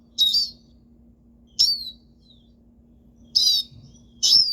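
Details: Four high, slurred chirps from a pet siskin, spaced unevenly, with a soft steady hum in the background.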